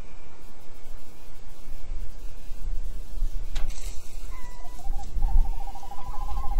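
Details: Tawny owl pair (male and female) on a nest-box camera, January 2011, giving a short hoot, a pause, then a long quavering, wavering hoot over steady low rumbling noise and a single sharp click.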